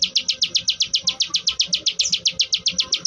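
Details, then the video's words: Plain prinia, called ciwah or klik klik bird, giving a brisk, metronomic series of sharp high clicking notes, about four per second, with faint low background sounds. "ciwah gacor ngebren, burung ciwah anda dengar langsung gacor"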